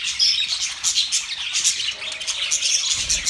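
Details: Budgerigars chirping during mating: quick bright tweets and raspy chatter from several birds overlapping, steady throughout, ending with a soft low rumble.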